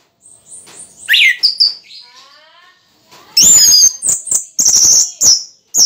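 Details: Orange-headed thrush, mid-moult but singing well: a rising whistled note, then loud high ringing phrases interspersed with sharp clicks and snapping sounds.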